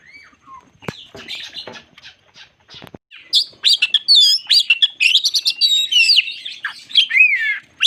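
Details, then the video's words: Crested magpie-robin (kacer jambul) in full song, used as a bait song to agitate other magpie-robins: a few soft scattered notes and clicks, then a loud rapid run of varied whistles, trills and buzzy chirps. "Burung Kacer jambul lagi teler pancingan Kacer bikin emosi burung bahan"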